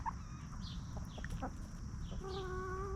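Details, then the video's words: Free-range backyard hens feeding calmly give scattered short clucks, then a long even drawn-out tonal call near the end, over low continuous background rumble. "Chickens Roaming, Snacking & Clucking"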